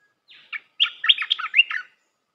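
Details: Melodious red-whiskered bulbul phrase used to train young birds: a faint drawn note, a brief chirp, then a quick string of lilting, slurred whistles rising and falling over about a second.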